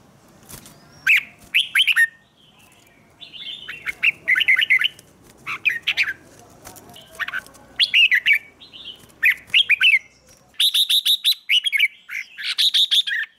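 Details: A red-whiskered bulbul, trained for song contests, sings bright, bubbling phrases of rapid chirps and liquid whistles, repeated after brief pauses.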